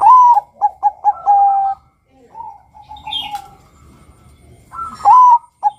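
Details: Zebra dove (Bangkok perkutut), a male's cooing used to lure and prompt other doves to sing: a quick run of soft, mellow, bubbling notes, a pause, a fainter rolling phrase and a final clear coo, with a brief high chirp between.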